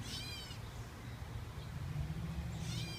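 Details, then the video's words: Gray catbird giving two drawn-out, cat-like mewing calls, each descending and rich in harmonics, at the start and end, over a steady low rumble of background noise. "Cat bird / "Erin bird" call"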